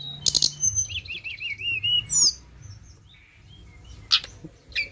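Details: Flowerpecker lure recording: a rapid, wavering trill of high thin notes, then sharp squeaky slurs and sparse high chips, with a few loud clicks and faint low background noise.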